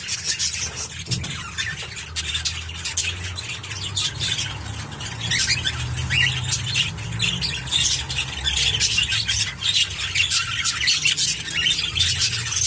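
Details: Elderly budgerigar, 16 years old and born in 2007, said to be healthy and powerful but unable to fly, keeps up a continuous dense scratchy chatter with harsh squawks and clicks throughout, over a steady low hum.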